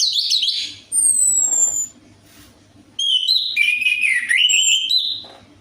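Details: Orange-headed thrush song as a lure to get a quiet bird singing. A rich warble leads into pure falling whistles, then after a pause a long, varied, wavering whistled phrase. A faint hum lies beneath.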